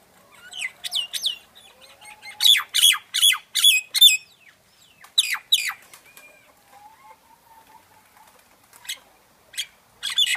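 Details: Myna singing: a varied run of harsh, sweeping squawks and bright chirps in bursts, loud clusters around two to four seconds and again near five seconds, with a few soft low notes between and sharp calls at the end.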